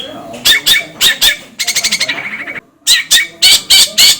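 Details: Long-tailed shrike giving harsh rasping notes in pairs, a fast nasal rattling trill, a short pause, then more loud scratchy calls.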